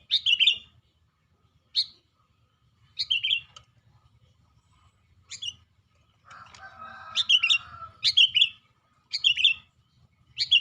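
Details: Sooty-headed bulbul kept in a cage, singing actively: repeated brief chirping phrases of sharp falling notes every one to two seconds, with a low rumbling background and a softer warbled passage midway.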